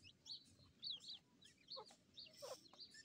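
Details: High, squeaky chirps run in rapid clusters as grey francolin chicks fight, with a couple of harsher, downward-sweeping squeals near the end.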